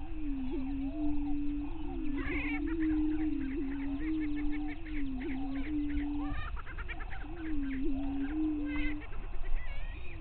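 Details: Greater prairie chickens at a lek on Bluestem Prairie Scientific and Natural Area near Glyndon, northwestern Minnesota, at 5:30 AM on May 9, 2023, boom in a low, hollow, wavering near-continuous hum, overlapped by bursts of higher cackling and whooping.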